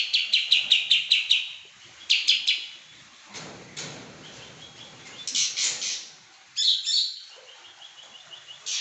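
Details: Pekin robin singing constantly: a fast string of sharp high chirps, a brief cluster of three, a noisy rustling gap, then further ringing bursts and a thin twittering trail.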